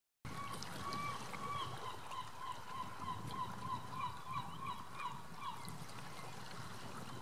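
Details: Male common eider calling at dawn, a series of short rising-falling crooning notes repeated about three times a second over a steady low rumble of water or wind.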